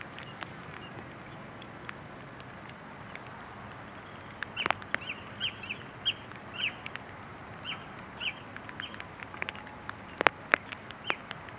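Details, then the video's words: Wandering tattler (Tringa incana) giving a run of short, clear whistled notes, about two per second, over a steady rushing background with occasional sharp clicks. "Wandering tattler 黄足鹬"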